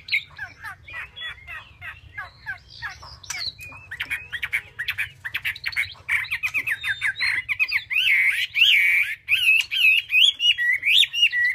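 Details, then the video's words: Song of a caged Chinese hwamei: opens with a series of sharp descending chips, then swells into a loud, continuous warbling of fluid, wavering whistles that run on rapidly to the end. "họa mi cb200"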